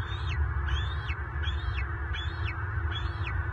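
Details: Bald eagle in southwest Florida on 24 March 2023, during a clash in which an adult male and an intruding adult lock talons near the nest. A rapid series of high, squeaky notes that rise then fall, repeated about every half second, over strong low rumble.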